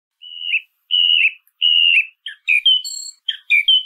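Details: Song thrush singing: three drawn-out, slightly wavering whistles followed by quicker, sharper mixed notes, with short pauses between phrases against a silent background.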